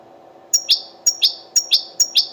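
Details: Wild European goldfinch, associated with the Al-Quray'a Sunday bird market, giving high, clipped double notes that repeat about every half second, four pairs in a row, over a low steady hum.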